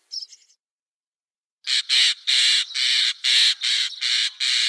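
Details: Common starling voice: a brief faint chirp, a pause, then loud harsh rasping squawks repeated roughly twice per second.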